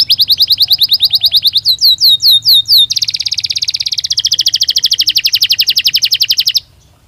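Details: Belgian canary song of a rapid rattling trill, several loud falling whistled slurs, then a long fast pulsing trill that stops abruptly, followed by near silence.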